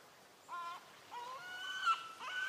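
A European herring gull gives nasal, harmonic calls: two short mewing notes, then longer drawn-out cries that rise slightly. Faint background hiss.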